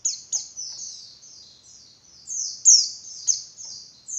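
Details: Female Javan white-eye calling to provoke males into singing: a near-continuous run of very high, thin, descending slurred notes, each fading into the next, with louder sharp accents scattered through the sequence over a quiet background.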